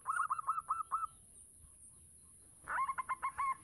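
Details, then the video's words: Local zebra dove singing actively, used as a lure to prompt other doves. A quiet cooing series of short notes, then a pause and a second faster, more rolling burst of notes. "Perkutut lokal gacor - RAJA PANCINGAN"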